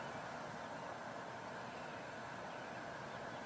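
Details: Steady broadband rumble of vehicles and engines fills the recording, with no animal voices.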